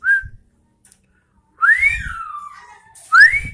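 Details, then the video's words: Sooty-headed bulbul giving three loud, bright, upward-sweeping whistles. The middle one trails into a long falling tail, and there are dull low thumps under each phrase. "Suara Burung Kutilang Gacor Garuda"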